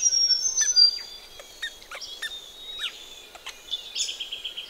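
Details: Australian ring-necked parrots bathing in a pond in the morning: thin high whistles and scattered short chirps among sharp splashing clicks of water, ending with a louder burst of chatter.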